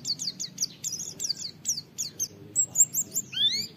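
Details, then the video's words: Oriental white-eye 'wit wit' song used to train other white-eyes: a rapid run of fine high downslurred whistles, then a level high trill and a final rising slurred note. "Masteran Pleci Nembak Wit Wit Mudah ditiru, semua pleci terpancing ikut Nge witwit"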